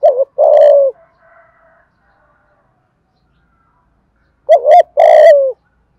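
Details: Lure song of a spotted dove, 'giọng Thổ' style with calls, urging and coos to provoke wild doves; paired deep coo phrases, a short bent note and a drawn-out falling coo, repeated after a silent gap.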